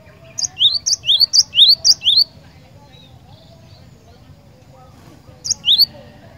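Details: Cinereous tit in full voice, a persistent singer: a run of six clear upslurred whistles, each preceded by a sharp high click, then a pause and a single further note.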